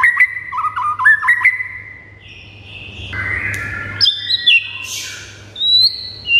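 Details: White-rumped shama song for rousing pet birds: a few quick chipping notes and short whistles, a soft buzzy stretch, then clear rising and falling whistles at several pitches, with a low hum in the background.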